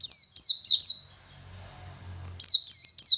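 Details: Male Oriental white-eye 'ngalas' song, meant to prompt other white-eyes to join in; rapid run of high, sharp downslurred chirps, a pause with low rumbling handling noise, then another quick burst of chirps.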